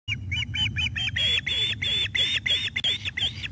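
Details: Osprey at its nest on 17 July 2021 at 7:48 pm, as an adult brings a fish for a young bird; rapid run of loud, sharp, squealing chirps repeated several times a second, rising in intensity, over low steady background rumble.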